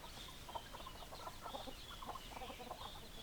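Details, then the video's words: Hens clucking in a flock: short, low, overlapping clucks in quick irregular bursts, with a steady high chirping chatter running behind them throughout. "Chicken Sounds Noises Hens Clucking Roosters Crowing"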